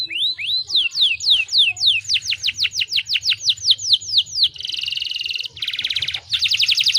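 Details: Canary song used to encourage other canaries to sing: long run of quick falling whistled strokes, then harsh buzzy trills, over a low background hum.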